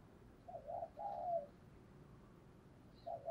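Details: Caged decoy spotted dove, trained to call in wild doves, gives a few soft mid-pitched coos over steady background hiss, the longer middle note sliding slightly downward.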